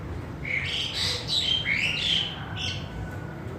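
An Asian pied starling sings a jumbled run of squeaky, whistled and chattering notes, shifting rapidly in pitch, over a low background hum.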